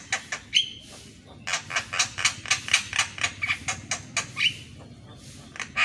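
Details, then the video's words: Javan myna in the morning, a recording meant for training other mynas: a steady series of rough, grating bursts about four per second, with short whistled touches between them. "MASTERAN BURUNG JALAK KEBO DI PAGI HARI !!"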